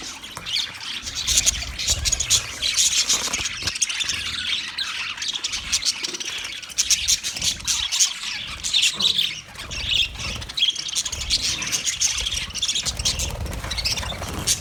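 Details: Budgerigar chatter dated 29 February 2024: a long stretch of dense, rippling high chirps, squeaks and squawks, varying in loudness, with faint low rustling throughout.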